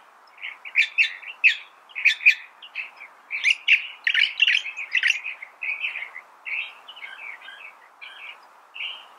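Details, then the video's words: Continuous California thrasher song made of jumbled, rapidly changing phrases, mixing scratchy chatters with mellower warbled notes in a steady, unhurried stream. "California Thrasher Bird Sound"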